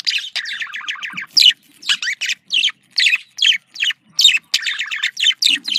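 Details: Budgerigar chatter used to stimulate breeding, dense bursts of harsh chirps and rapid buzzy trills, short phrases tumbling over each other with brief pauses, bright and high-pitched throughout.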